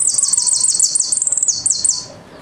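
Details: Argentine goldfinch (jilguero) song of the style called "El Meryl" with golpe and pitadas: rapid series of high, thin descending notes, strung into a fast rattling run, with a brief pause then more downslurred notes.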